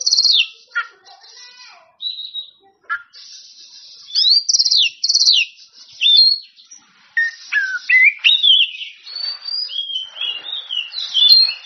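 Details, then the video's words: Rival-calling song of an Oriental magpie-robin: scattered sharp whistles and short buzzy bursts at first, then a busier run of sliding, warbled high whistles toward the end. "Kacer Gacor On Play Ngeplong Manggil Lawan"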